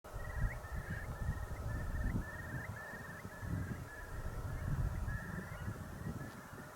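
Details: Eurasian curlew on UK moorland gives a steady run of short, fluty notes, roughly two per second, over heavy wind rumble; curlews make this call in flight and on the ground, throat moving in and out.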